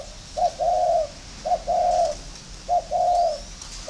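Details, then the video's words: Spotted dove cooing while competing against a decoy bird: a short low coo followed by a longer, steady, hoarse coo, the two-part phrase repeated three times at roughly one-second gaps, with a quiet background. "đấu với mồi đất"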